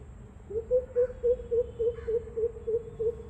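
Greater coucal giving a deep, hollow series of about eleven even hoots, roughly three or four per second, holding a steady low pitch.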